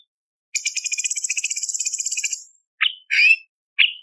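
A Black-crested Bulbul gives a fast, high, buzzy chattering trill for about two seconds, then three short, bright whistled notes.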